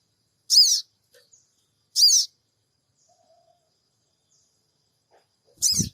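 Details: Sooty-headed bulbul 'cingik cingik' call for luring the bird to respond, phone-recorded in Purbalingga: three grating, buzzy high notes, two close together then a pause, the last joined by a low thump.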